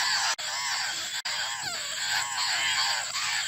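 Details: A laughingthrush nestling calling insistently for its mother, with harsh, rippling nasal calls repeated in quick bursts, two brief cuts, and a steady high hiss behind.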